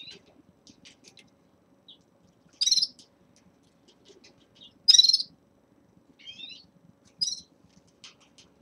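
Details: Caged red-fronted serins at the start of their moult give short, high, twittering chirps, a few louder bursts spaced one to two seconds apart, with faint soft rustling between.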